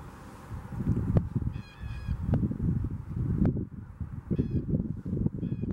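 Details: Blue jays calling in Huron Natural Area, Kitchener: several short harsh calls with stacked tones come in brief bursts over a loud low rumble of wind or traffic.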